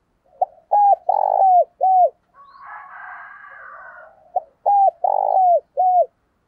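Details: Decoy spotted dove giving a lure call used to provoke wild doves: two phrases of short clipped notes, each built around a long loud coo, with a soft murmuring rumble between the two phrases.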